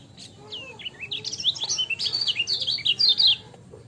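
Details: Lemon-bellied white-eye (kecial kuning) song for master training: a few thin falling whistles open, then a fast, bright, chattering run of high chirps and trills that swells for about two seconds before stopping; low hum beneath.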